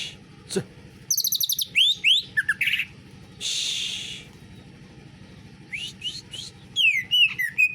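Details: Greater green leafbird delivering canary-like material: quick high trills and swooping whistled notes, a harsh grating rasp in the middle, then further bursts of sweeping chirps.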